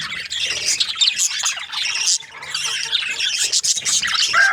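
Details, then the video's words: Several budgies chirping together in a busy stream of high, scratchy squawks and quick twittering notes that overlap without pause, ending with a brief clearer whistled note. "Beautiful budgies chirping sounds"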